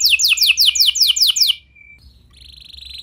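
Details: Canary singing a lure song for other canaries: about eight loud, sharply falling whistled notes at a steady quick pace, a thin held tone, then a faint buzzy rattle rising in volume.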